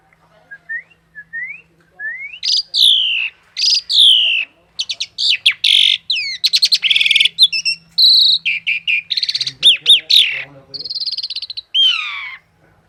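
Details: Half-mature local male Javan pied myna, trained for song, starts with soft rising whistles that build into loud sweeping whistles, harsh rattling bursts and fast repeated chatters, with a faint low hum in the background.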